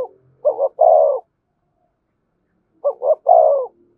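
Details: Spotted dove, thổ-voice coo with thúc and kèm calls: two identical phrases about 2.4 seconds apart, each two short notes leading into a long, mellow coo, with silence between them.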